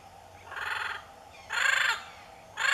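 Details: Double yellow-headed amazon, female, in the wild in the Caribbean, giving three harsh, nasal, buzzy squawks about a second apart over faint hiss; another bird calls back, suggesting a mated pair.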